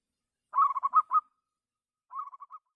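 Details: Zebra dove, a local lure bird with a clear voice for calling rivals: a quick bubbling run of five coos followed by a softer, shorter phrase of four notes, in silence.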